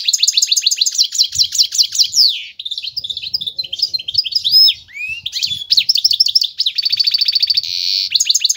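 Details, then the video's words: Goldfinch hybrid, known locally as meli or bunduq, singing a long, varied, high song of rapid repeated chirps, buzzy phrases and slurred whistles, with a steady pulsed trill near the end. "هجين طائر الحسون,يبدع بالتغريد الجميل,(ميلي او البندق)"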